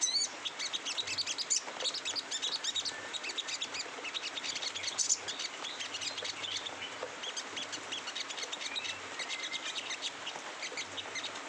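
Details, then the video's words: Sogon singing in the rough "ngeriwik kasar" style: a dense, continuous run of sharp high chirps and rapid twitters with scattered brief whistles, bright and scratchy throughout, with a faint low hum beneath. "sogon ngeriwik kasar"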